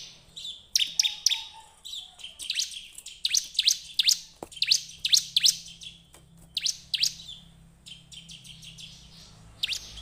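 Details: Bar-winged prinia singing, used as a lure to prompt others to sing: dense bursts of sharp, high, downslurred chirps, loud in the first half then sparser, with a faint low hum beneath.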